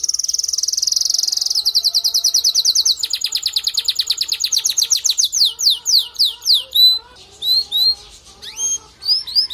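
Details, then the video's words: Male canary singing to encourage a female to build a nest: a fast bright trill gives way to repeated descending slides, then slower separate whistled notes with short pauses. "أقوى تغريد ذكر كناري لجعل انثى الكناري تلف العش بسرعه"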